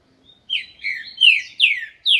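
A green-winged saltator sings loud, rich whistled phrases, four or five slurred notes falling in pitch, one after another in under two seconds.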